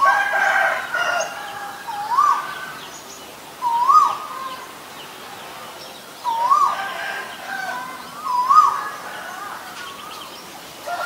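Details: Male Asian koel calling: loud, clear whistled notes that swoop upward, given about every two seconds, four calls in all, over a busy background of chattering and chirping from other birds.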